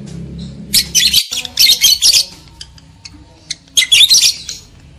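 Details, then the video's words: Lovebird sound to arouse breeding males and females: clustered harsh, high squawks in two bursts separated by a short quieter gap with scattered chips. "AUDIO PANCINGAN UNTUK MENAIKAN BIRAHI EMOSI JANTAN DAN JEBOL BIRAHI LOVEBIRD BETINA"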